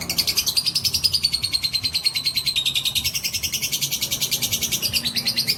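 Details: Lovebird of fighter type in a lengthy ngekek song meant to provoke other lovebirds: a bright, rapid, evenly pulsed chatter with a whistled tone sliding down then rising again, sustained without a break.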